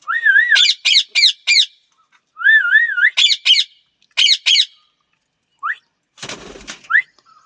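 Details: Parrot calling: a wavering whistled note followed by a quick series of four harsh, squawky chips, repeated three times, then short rising whistles and a brief burst of rustling noise.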